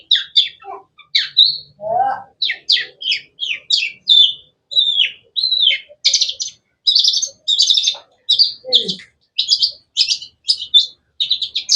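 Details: Steady series of sharp, melodious high chirps and short whistles from a long-tailed shrike, or cendet, roughly two notes per second, growing buzzier toward the end.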